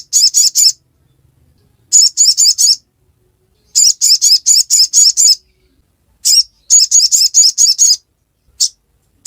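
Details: A ruby-cheeked sunbird delivers ngiriwek-style chattering: four clusters of four to eight sharp, very high chirps, spaced roughly two seconds apart, with a single stray note near the end.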